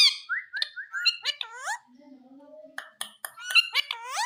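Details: Indian green ringneck parrot talking, a run of short harmonic squawks and word-like syllables with rising and falling pitch, then a low murmuring phrase and more quick chattering squawks.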